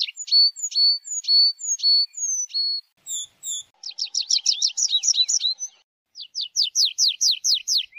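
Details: A tree pipit repeats sharp two-part whistled notes about once a second, then bursts into a dense chattering trill and a run of steep sweeping notes.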